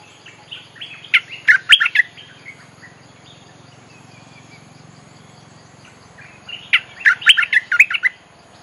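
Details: Bulbul lure song meant to attract wild birds: two bursts of fast, jumbled chirps and warbles, with a steady low hum running underneath and a quiet gap of several seconds between them.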